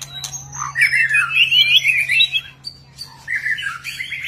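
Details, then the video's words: White-rumped shama in display song, varied harsh squawky and warbled phrases in two bursts separated by a short pause, with a steady low electrical hum underneath. "MURAI BATU GACOR White-rumped shama Display kích chòe lửa hót nhiều giọng"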